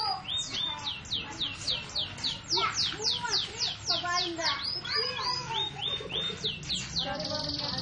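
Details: Canary song made of rapid falling whistled sweeps repeated about three to four times per second, with bright high trills and softer lower chirps beneath.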